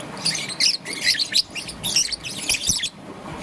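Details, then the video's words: A young peach-faced lovebird, green and yellow, chatters in the morning with a dense run of high, scratchy chirps in quick bursts, almost continuous for three seconds. "Relaxation of Lovebird's melodious chirping sound - Young Peach Face Lovebird"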